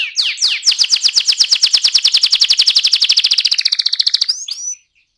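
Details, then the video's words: Ngerol-style song of an AF canary: a few sweeping notes lead into a long, rapid, steady trill of bright chirps, which ends in a brief upward flourish followed by silence. "kenari AF ngerol"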